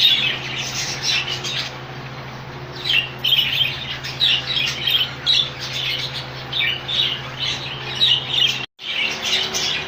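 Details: Colony of rainbow budgerigars kept together, giving dense, overlapping chirps and squawky chatter in bursts throughout, many birds calling at once, over a steady low electrical hum, with a brief silent cut near the end.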